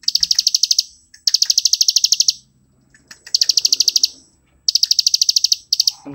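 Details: Plain prinia singing a rapid ngebren-style song used as a master song for training birds: four bursts of fast, high, buzzy repeated notes, each about a second long, separated by short pauses.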